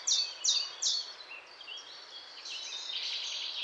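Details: Eurasian blackcap song: three loud, clear descending notes about every third of a second, followed by a quieter, rambling high warble with thin twittering phrases.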